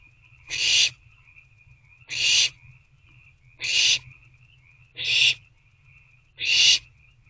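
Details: Owl chicks in a nest box at night, 21 April 2024, begging as the parents bring food. Five harsh, breathy hissing screeches come about every one and a half seconds over a faint continuous high whine.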